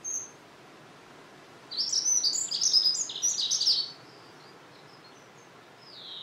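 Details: Dunnock (Prunella modularis) giving a rapid, high, thin jingling warble of tightly packed squeaky notes that lasts about two seconds, with quiet gaps before and after and a faint background hiss.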